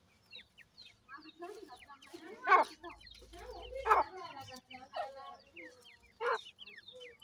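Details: Grey francolin chicks with a parent: rapid, high, falling peeps continue steadily, broken by a few louder, harsher notes at uneven intervals, with a faint low hum in the middle.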